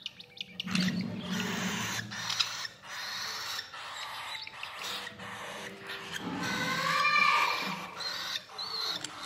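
A sun conure chick gives harsh, raspy begging calls in quick, uneven bursts while being hand-fed.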